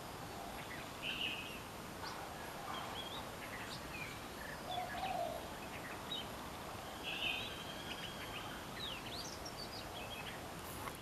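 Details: Oriental magpie-robin giving scattered whistled notes, with clear high phrases near the start and again after seven seconds and one lower warbled note in between, set against constant environmental noise.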